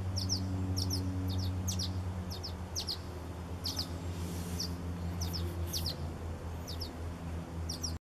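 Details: Barn swallows begging from hunger on July 14, 2020: quick high doubled chirps repeated rapidly in clusters, partly masked by loud steady low-frequency hum.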